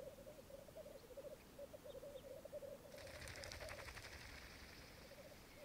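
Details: Lek of black grouse on a Mykland bog, Norway, May 2022 morning, with twelve males and two females: steady low bubbling throughout, joined after three seconds by a loud broad rattling, fluttering burst lasting about a second.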